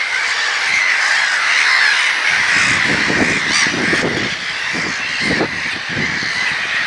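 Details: Many gulls crying at once, a constant wall of raucous overlapping calls with a few slightly clearer squeals early on, and low rumbling thumps in the background.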